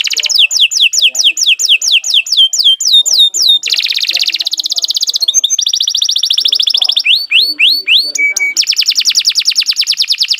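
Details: Long, energetic canary song meant as a training master for captive birds: quick repeated falling whistles give way to a dense buzzing trill, rapid ticking rolls, brief sweeping phrases and a sustained high chatter.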